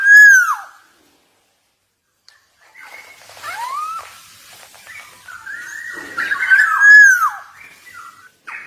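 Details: Javan black-naped oriole singing actively: loud, fluty whistled notes sliding downward, separated by pauses and softer warbled phrases, ending with another clear descending whistle.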